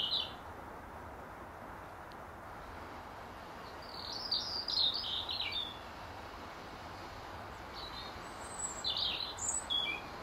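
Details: Robin on its regular apple tree branch, singing in the last hour of daylight to claim its territory; two clusters of bright, high, jumbled warbling notes separated by a pause, over a steady wash of background noise.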